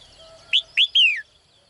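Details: Caged female bird calling in the morning to attract a strong male: one loud phrase of two short, arched chirps followed by a longer, clear note that slides downward, over a quiet background.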